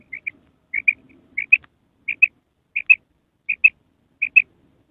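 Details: At night, a female common quail repeats a crisp two-note call seven times, each pair short and high, spaced about 0.7 seconds apart, with faint low murmurs early on.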